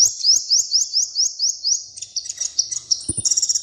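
A small bird sings a rapid series of high, rising chirps, about eight in two seconds, then breaks into a faster jumble of thin twittering notes.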